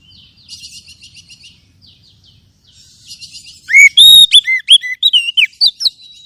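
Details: Oriental magpie-robin lure song, used to stir mature and young spotted caged birds into singing. Soft twittering chatter first, then loud clear whistled notes, some rising and some falling, in a quick varied burst near the end.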